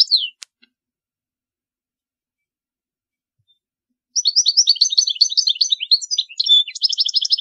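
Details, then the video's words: Goldfinch song meant for teaching fledglings: a brief twitter and click at the start, a long silence, then an extended rapid twittering phrase with buzzy trilled notes. "تغريد طائر الحسون لتعليم الفراخ الصغار chardonneret"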